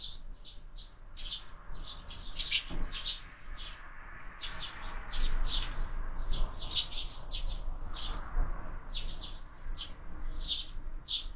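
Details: Several sparrows at a window feeder during breakfast, where birds are fed year-round; dense overlapping chirping goes on almost nonstop, with bursts of quick tweets and a soft background hum.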